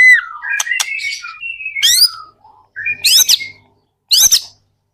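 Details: Lure song of a white-rumped shama meant to make other shamas sing: clear falling whistles and buzzy notes, then separated loud bursts of sharp upsweeping chips with short silences between.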